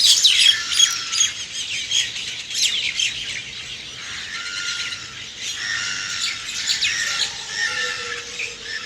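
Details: Many birds chirping in the early morning: a dense chorus of high, quick chirps and squawky notes with several bright whistled phrases overlapping, plus a few longer, steady tones near the end.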